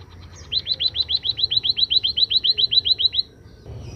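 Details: {'caption': 'Scaly-breasted munia singing after being sunned: a fast run of about nineteen high, rising, upslurred notes repeated evenly for nearly three seconds, then quiet with low background hum.'}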